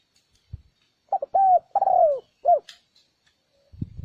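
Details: Spotted dove call used as a lure to draw in wild doves: a short stuttered opening, then two long, mellow, slightly falling coos and a brief final coo, with a faint click and a low thump near the end.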